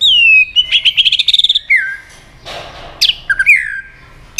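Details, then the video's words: White-rumped shama roused to fight-sing: a clear falling whistle, then a fast stuttering trill of repeated notes, a pause with a soft hiss, and more sharp downslurred whistles. "kích lửa cho chòe lửa hót"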